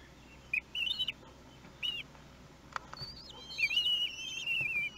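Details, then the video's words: One-week-old common kestrel chicks being fed, nest webcam at Théding, France, 31 May 2020: a few short high wavering squeals, then a longer drawn-out shrill quavering call descending slightly, with soft tapping and clicks. "Repas d'anniversaire : 1 semaine"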